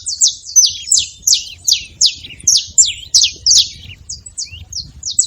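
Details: Several free-living Saffron finches at a feeder make a racket of bright, piercing chirps, each a quick downward slur, tumbling out in an uneven stream with faint low background noise.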